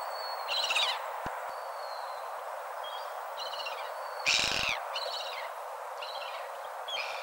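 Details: Gull cries come in short harmonic bursts, one stronger drawn-out call in the middle, while faint thin tones and a constant rushing background run beneath.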